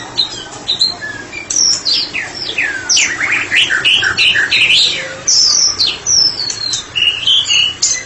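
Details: Ngeplong singing from a white-rumped shama (murai batu) kept for therapy: energetic cascades of steep downslurred whistles, rapid trills and high ringing phrases, nearly continuous and loud.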